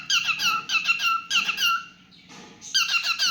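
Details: Indoor cockatiel sings loud squeaky downslurred whistles in quick pairs, a short hissy lull, then renewed chirping.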